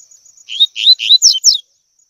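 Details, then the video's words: Training song for young double-collared seedeaters in the tui tui style: three rising slurred notes of growing loudness, followed by two higher, sharply falling notes, then quiet. "ENCARTE COLEIRO TUI TUI P/TREINAR PARDINHO A CANTAR TUI TUI"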